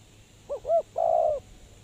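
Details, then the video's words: Spotted dove kept as a lure for trapping, giving two short rising notes then one long level coo, low-pitched and hollow. "Suara Terkukur Pikat Tua"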